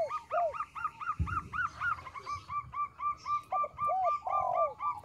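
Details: Zebra dove, a local bird with a small voice, cooing for luring: a fast regular run of arched, bouncing notes, roughly four per second, ending in quicker ringing coos and a longer slurred note. A brief thud is heard early on.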